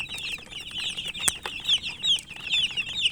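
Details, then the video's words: Close chicken chicks peeping while eating, clear shrill slurred chirps about two per second from near birds over a background of other chicks, plus a couple of sharp taps. "Murgi chicks Chirping sounds and eating"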